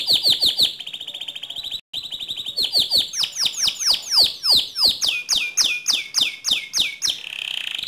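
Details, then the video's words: Gacor canary song for training other canaries. Quick chirps and a steady buzzy trill give way, after a brief gap, to a long string of loud falling whistled notes, ending in a warbling roll. "Suara Kicauan Kenari Gacor"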